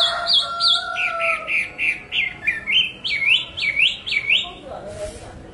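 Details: Chinese hwamei delivering a steady string of loud, dipping whistled notes, roughly two per second, with a lower steady tone behind the first second and a brief noisy burst near the end.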